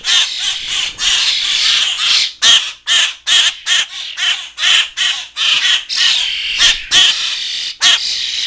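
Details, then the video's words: Young grackles with starlings, rehab fledglings still insisting on hand feeding, some staying inside the cage. Dense scratchy squawking, loud, uneven calls about once a second over a steady chattering background. "Fledgling Grackle and Starling Feeding Frenzy"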